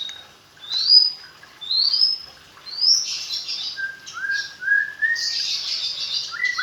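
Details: Magpie-robin raised in captivity from fledgling age delivers rising, slurred whistles about once a second, then a burst of high scratchy notes and a string of short upslurred whistles.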